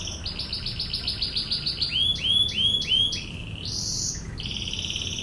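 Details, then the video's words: Canary song with a fast series of repeated swelling notes, then slower sweeping whistled notes about three per second, ending in a high buzzy trill. "MASTERAN BURUNG KENARI//TEMBAKAN NGEBREN"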